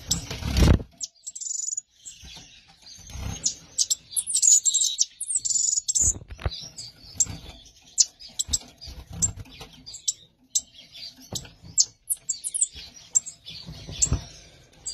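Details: A newly paired couple of Gouldian finches (Erythrura gouldiae) give thin, high chirps and short squeaky notes in quick, uneven bursts, with low thumps and knocks underneath.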